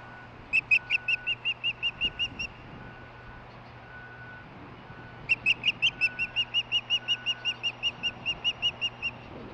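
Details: Unseen female osprey nearby chirping while receiving a fish, July 2015; two bursts of rapid, high piping chirps, about ten per burst, each starting louder, separated by a pause with a faint low tone and background hum.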